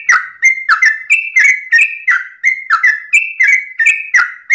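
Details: Yellow-vented bulbul (trucukan) at dawn delivering rapid ropel song: loud, clear whistled notes sliding between two pitches in a steady, almost continuous stream.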